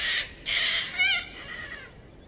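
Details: Little corella in a flock of over a thousand foraging in suburban Melbourne, giving two loud raspy screeches followed by a wavering, fading squawk.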